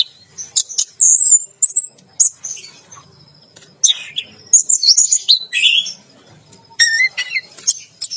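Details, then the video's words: Caged orange-headed thrush bathing while it sings in 'teler gacor' fashion. Clear high whistled notes and quick trills alternate with harsher chattering fragments in irregular bursts with brief silences. "Anis Merah Teler Gacor || Baru Kali Ini Ada Burung Mandi Keramba Sambil Teler Gacor"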